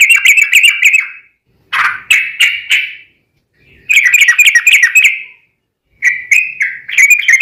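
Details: Sooty-headed bulbul giving long ropel phrases as a lure to provoke replies from other bulbuls: quick bubbly bursts alternating with broader slurred notes, each phrase one to two seconds with short silences between.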